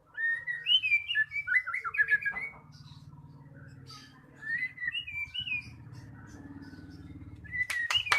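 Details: Lure recording of a magpie-robin to coax silent birds into song: rich, rapid whistled phrases that fade into softer warbles over a low hum, ending in loud clicks.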